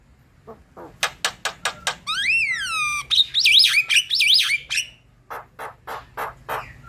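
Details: Javan myna singing, used to coax quiet mynas into song: rapid harsh rasping notes, then a drawn-out whistled note arching up and down, a burst of loud wavering warbles, and more spaced scratchy squawks.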